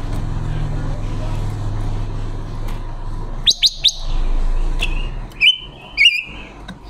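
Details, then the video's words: Female decoy red-billed leiothrix singing, used to lure wild birds into traps, October 2021. Three rapid high chips, then two loud whistled slurred phrases, over a steady low rumble. "ngũ sắc mồi luyện giọng hót của chim già rừng ngũ sắc mái mồi"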